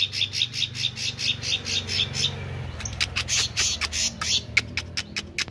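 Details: Actively singing meranti bird gives rapid, evenly spaced high chirps for over two seconds, then sharp clicking notes, with a low background hum throughout.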